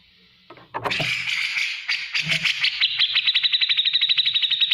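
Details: Black-crested bulbul song used as training material for other cage birds: a harsh burst, then rapid ticking notes speeding into a steady trill, roughly three notes per second rising to a fast repeated chatter.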